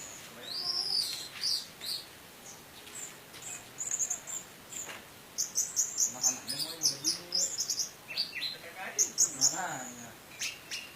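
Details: Orange-headed thrush in the Indonesian 'teler' singing style with rich varied fill, used as a lure to stir other birds into singing; rapid high whistled notes, slurred rising and falling phrases and dense chattering bursts come in quick succession.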